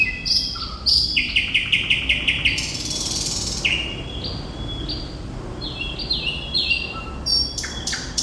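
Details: Sikatan londo or thrush nightingale singing hard: a fast pulsed rattle of repeated clicks, a loud buzzy rasp, then a string of short upslurred whistles at differing pitches, background hum low.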